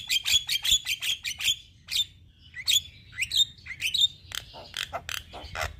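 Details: A young Javan myna, kept singing to train other mynas, gives a rapid series of squeaky whistled chips, some with clear tonal tails, then a string of harsh, scratchy notes at a steady quick rhythm.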